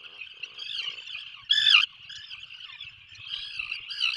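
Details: Atlantic puffins in a nesting burrow 21 miles off the Maine coast during the 2024 breeding season: a steady nasal, harmonic drone with one louder, rougher burst near the middle.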